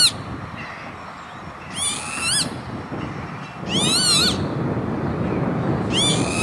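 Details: Northern lapwing calling at an industrial site by Veenendaal in the Netherlands, 28 May 2013: three strained, nasal upslurred calls spaced roughly two seconds apart, with broadband background noise.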